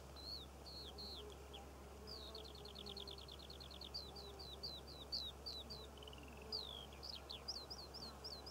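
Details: A Eurasian skylark sings over poppy fields in Cornwall in June 2014, a fast, continuous song of high chirps, trills and slurred whistles over a low rumble of wind.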